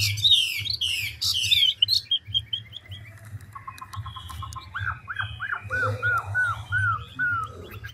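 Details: Chinese hwamei, a big old 'ngũ trường' bird, opens with harsh buzzy bursts, then a long series of lower, evenly repeated slurred whistles, about three a second, against a steady low hum.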